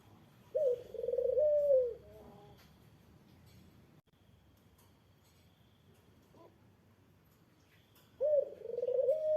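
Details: Two low rolling coos from a Eurasian collared dove, meant to provoke a rival's answer, separated by several seconds of near silence; each phrase trembles at first, then holds a steady mellow note.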